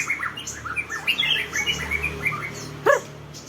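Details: High quick chirps and twittering notes from a sunbathing songbird run continuously, with a sharp click just before the end and a faint low hum underneath.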